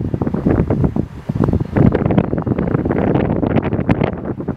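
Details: Gusting wind buffets the microphone beside a boating lake, with rough bursts of rushing noise and no animal voice heard.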